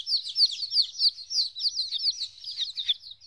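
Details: High, sharp, downward-sliding peeps, about one and a half a second, come from fourteen-day-old chicks kept apart from their mother for the first time.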